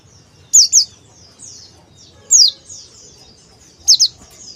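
A male Oriental white-eye gives thin, very high notes that slide downward, some in quick pairs, roughly every one to two seconds over a faint low hum.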